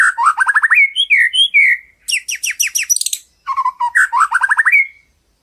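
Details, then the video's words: White-rumped shama delivering complete filler song for tutoring: loud bursts of rapid trills, sharp high ticks and swooping whistles, divided into three energetic phrases. "BURUNG MURAI‼️ SUARA ISIAN KUMPLIT"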